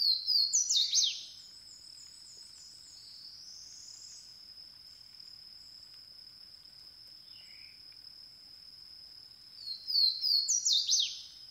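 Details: Swainson's Warbler, a small secretive bird with a big voice, sings two loud, ringing phrases of slurred notes that drop in pitch, about ten seconds apart, over a steady high insect drone.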